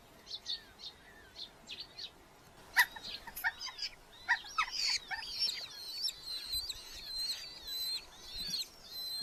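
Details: Red-footed falcon nest box in a large Hungarian colony, July 2025, parents bringing beetles; sparse clicks and knocks first, then a burst of high thin wavering whistles in the second half.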